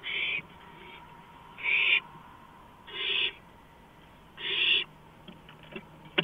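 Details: At 2:05 AM on April 5, 2015, an owl perched on a porch repeats a harsh, breathy screech four times, each about a third of a second long, spaced roughly every one and a half seconds, with faint taps after.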